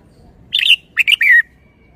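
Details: Red-whiskered bulbul giving a bright warbled phrase followed by two more quick whistled notes and a long falling slurred ending, against a quiet background.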